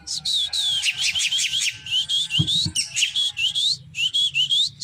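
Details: Drongo singing with increasing vigour, a local type called srigunting krantil: loud, rapid whistled notes with rising and falling slurs, in quick bursts separated by brief pauses, over a steady low hum.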